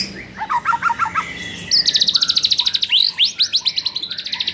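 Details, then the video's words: White-rumped shama training recording meant to stir a shama that sings too little: a run of short rapid chirps, then a long buzzy trill of fast repeated notes and sweeping whistled phrases at high pitch. "MASTERAN UNTUK DONGKRAK EMOSI MURAI BATU YANG KURANG GACOR"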